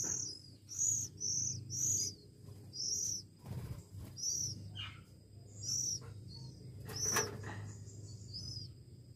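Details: One-week-old Oriental magpie-robin chicks being hand-fed give high, thin, squeaky notes in short bursts, roughly one or two a second, with a steady low hum underneath and a brief click near the end.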